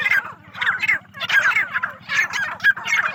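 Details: Partridges on a farm give a crowded chorus of rough, chattering calls in surges about every half second, with a constant low hum beneath.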